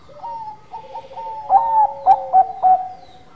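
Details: Zebra dove of the Bangkok type in full gacor manggung song: soft introductory coos, then four strong, ringing, stuttered notes in quick succession, with a second lower, drawn-out coo running beneath.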